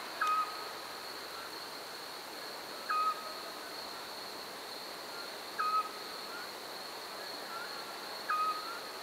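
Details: Eurasian scops owl calling early in the season, 2012, at Parque de la Vaca in Santander. Four short, clear, mid-pitched whistled notes repeat about every 2.7 seconds over a steady high insect buzz and soft background hiss.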